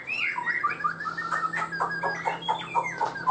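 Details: Chinese hwamei in a cage singing lower-pitched, rich warbling notes, with quick rolling phrases and short sharp accents repeated through the clip, and a faint steady hum behind.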